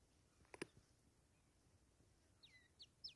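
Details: Wild francolin chick in the jungle, during capture: three thin, high peeps sliding steeply downward in quick succession near the end, after a couple of sharp clicks and rustles.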